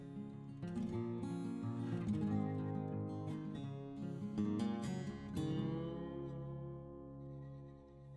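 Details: Plucked acoustic guitar music plays throughout, with strummed chords and no animal sounds heard.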